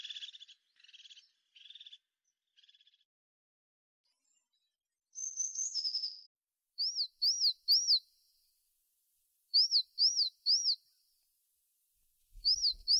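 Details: A tit gives soft buzzy notes, then a high, quickly rising and falling phrase, then clear arched whistled notes delivered in groups of three with pauses between, with a low thump at the end.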